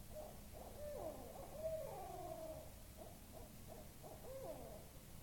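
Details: An owl calling noisily in Topsham, Maine, on 25 September 2015: rapid wavering hoots and drawn-out wails that sweep up and down, with a constant hiss behind.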